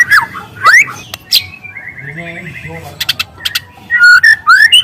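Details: Wild juvenile spotted-plumage white-rumped shama singing long, loud canary-like phrases, used as a lure: sweeping whistled slurs rising and falling, sharp clicks, a drawn-out buzzy middle phrase over a low tonal hum, then bright whistled bursts.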